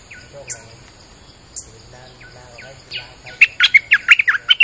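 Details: In rainy weather, a bulbul sung as a lure: several faint, evenly spaced downslurred whistles lead into a fast, loud cascade of bright chirping notes at the end.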